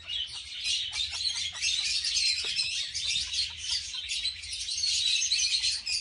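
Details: Captive pair of red-fronted parakeets, or kakariki, during mating; continuous shrill twittering chatter packed with squeaky, rapid notes, with a few faint lower clicks beneath the steady high-pitched stream.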